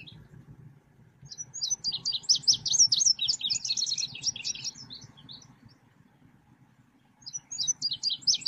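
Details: Selendang biru songbird sound used for trapping and song training: a rapid, rattling burst of high twittered notes lasting about three seconds, a pause, then another quick twittering burst, over faint low rumbling noise.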